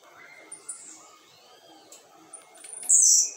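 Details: Blue-black grassquit set outside at a quarter past five on a Tuesday afternoon: quiet thin high notes, then one loud, sharp, buzzy burst at the end over low background hum.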